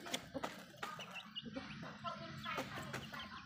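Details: Feeding backyard hens give soft, irregular clucks and short rising notes, with clicking pecks and a constant low rumble underneath.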